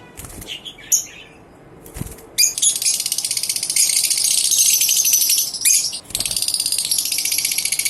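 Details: Lovebirds singing together at dawn on November 19, 2023: a dense, buzzy, rattling chatter of high notes that runs almost without pause, briefly broken by a few sharp squeaks and short gaps.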